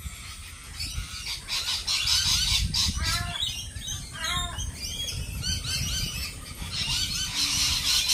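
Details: Lorikeets calling loudly together: harsh, grating shrieks overlap with short stacked squawks repeated in quick bursts, over steady low background noise.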